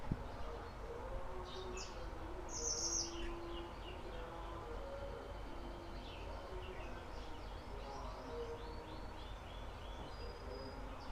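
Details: Pied triller of the mountain type, just beginning to sing and not yet in long phrases: scattered high, sharp whistled and chirping notes in short bursts over steady low background noise.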